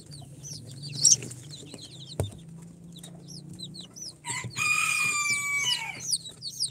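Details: Four-day-old chicks from an incubator, Sultan, Golden Sebright, Cochin and booted breeds, peeping in high short notes; a sharp click and a longer, louder harmonic call break in midway over a low hum.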